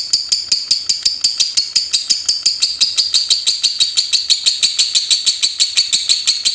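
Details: Lovebird singing in the ngetik style, a rapid typing-like chatter: a steady stream of sharp, high clicking notes, about three per second, each a dry tick with a ringing high edge, running on without pause.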